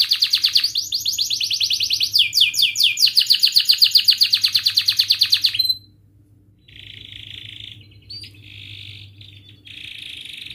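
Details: Canary singing to teach young birds: loud rapid chopped trill of repeated bright notes for five seconds, a pause, then softer steady buzzy rolls broken by short gaps.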